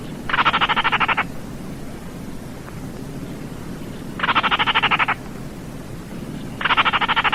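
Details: Baillon's crake calling with a dry, croaking rattle of rapid even pulses, each burst about a second long, repeated three times at roughly three-second intervals over a low, steady background rumble.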